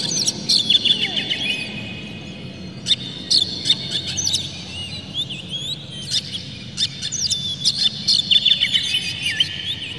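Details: Caged Oriental magpie-robin in full song meant to spur rival birds to sing, delivering bursts of sharp chirps, trills and slurred high whistles separated by short pauses over a low constant hum.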